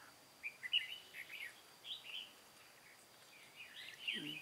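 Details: Red-whiskered bulbul used as a trapping decoy, Cao Phong bird, recorded 23 August 2018; scattered short warbling phrases separated by gaps, a brighter twittering burst near the end, and a low murmur at the close.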